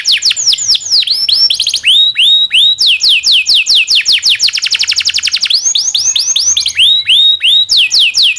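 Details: Canary master song for training young canaries, with long rolling phrases: rapid repeated falling whistles alternating with rising curved notes and a sustained fast trill, continuous and bright.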